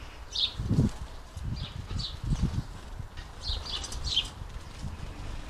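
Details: Hungry house sparrows at a busy squirrel buster feeder in a UK garden give short, bright chirps in loose clusters, with low thumps and flutters of wings and feeder activity beneath.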